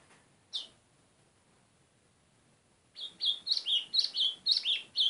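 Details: White-throated seedeater: one sharp high chip, then a pause, then a rapid series of loud, clear, high whistled notes falling slightly at the end of each note. The surroundings are quiet.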